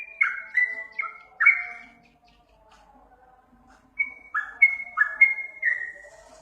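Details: Sooty-headed bulbul (trucukan) master song for drawing a reply from caged birds: four sharp downslurred whistles, a quiet gap of about two seconds, then another burst of four or five whistled notes.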